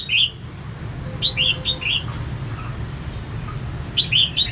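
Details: A female red-whiskered bulbul singing to rouse males gives three bursts of bright, liquid chirping notes, the middle burst a run of four, over a low rumble of traffic.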